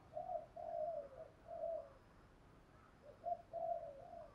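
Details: Decoy spotted dove cooing to provoke rival males: a series of low, soft hooting coo notes, a pause, then another run of coos, set against a faint, noisy background hiss.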